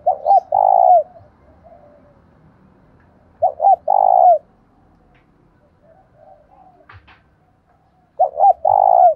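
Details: Spotted dove used as a decoy, cooing to draw in wild birds in the 'thổ đồng' voice style. Three loud phrases, each a quick doubled note followed by a long, even coo, come roughly every four seconds with quiet gaps between.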